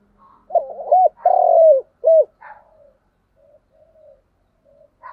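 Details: Spotted dove call, the Vietnamese 'thúc gù' style: a quick pair of low coos, a longer drawn, slightly falling coo, then a short final coo, followed by faint soft trailing notes.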